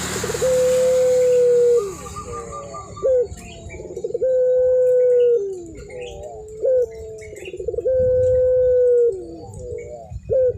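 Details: Puter pelung zebra dove singing in full voice: long, level, low coos lasting over a second, each followed by quick wavering hooked notes, the phrase repeating about every three to four seconds.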